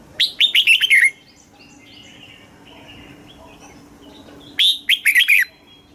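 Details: Thai red-whiskered bulbul song in the southern master style, played to excite caged birds and teach chicks: two quick warbled phrases of several notes, separated by about three and a half seconds of faint background calls.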